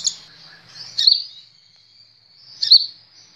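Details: Kolibri ninja sunbird, recorded to train cage birds to sing: two isolated high, piercing chirps about one and a half seconds apart over a faint thin whistle.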